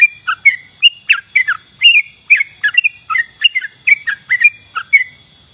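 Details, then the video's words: Trucukan, known in English as sooty-headed bulbul, singing vigorously on a training recording for songbirds: a continuous string of bright, slurred whistles, rising and falling, about two notes per second, with a constant thin high tone behind. "masteran Burung kicau trucuk trucukan gacor"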